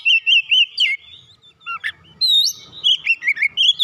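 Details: Provoked, agitated magpie-robin (kacer) singing: loud whistled phrases, a wavering note repeated about five times, then slurred rising and falling whistles and quick chirps, with a faint low rumble between phrases.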